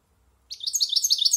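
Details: Goldfinch, a yearling-plus silvestrismo singer, launching into its song with a brisk series of high, tinkling slurred chirps, roughly seven per second.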